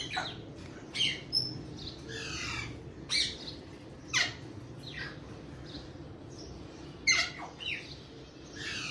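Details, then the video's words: Alexandrine parakeet giving short, harsh squawking calls, about one each second, some falling in pitch, over a steady low background hum. "Alexandrine Parrot Natural Sounds || Alexandrine Parrot Natural Voice"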